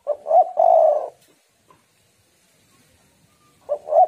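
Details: Spotted dove, a female, giving the call used to attract and stimulate males: two quick soft coos run into a longer rolling coo, then a pause before the same phrase begins again.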